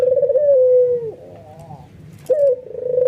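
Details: White albino ringneck dove cooing excitedly, prompting other doves to call along. A long level coo tails off downward, a fainter dove answers softly, and then a sharp note starts another rolling, pulsed coo.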